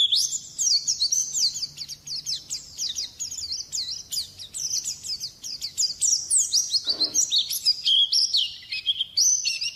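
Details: White-eye song for training songbirds: a long unbroken run of thin, very high chattering chirps, with one short soft thump partway through.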